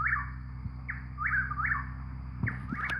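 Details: Chuck-will's-widow song. Rhythmic whistled phrases with rolling, slurred endings repeat over a strong low droning hum, and a brief thump sounds near the end.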